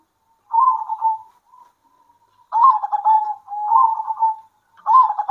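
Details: Zebra doves of a local type singing to each other at midday: a trilled coo, a brief soft pause, then several louder rippling phrases in quick succession.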